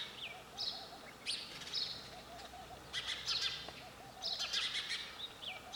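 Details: Sparrow chirping in bright, high bursts, with a soft lower warbled trill and a brief rising whistle between the louder clusters.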